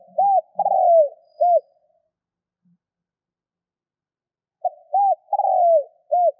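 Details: Spotted dove used as a 'thúc' decoy, its cooing meant to stir up wild birds: two repeated hollow phrases about four and a half seconds apart, each with arched and sliding notes, plus faint low murmurs between.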